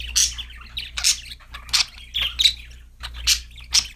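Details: Cheerful budgie chatter, a string of loud buzzy chirps repeated about every half second, each a quick scratchy burst, with a faint low hum behind.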